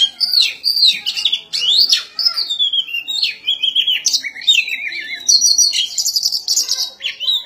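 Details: White-rumped shama (kacer) singing while fighting, a rapid varied stream of whistled, slurred and trilled phrases, rising and falling notes packed closely together with sharp chips between them.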